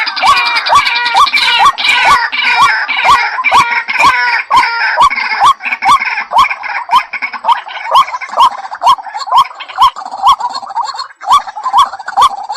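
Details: Waterhen lure call, white-breasted: a long run of short hooked notes, about two per second. Rich harsh overtones and overlapping calls are strong early on, then thin out, with crisp clicks on every beat.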